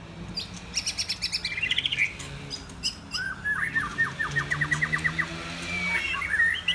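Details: Several young white-rumped shamas, mostly in first molt, having fun together; varied whistles, then a fast run of evenly repeated notes, over a faint low hum.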